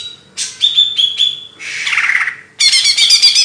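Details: Singing bird used as song training material: a few sharp whistled notes, a hoarse descending buzzy rasp, then a dense rapid chattering trill.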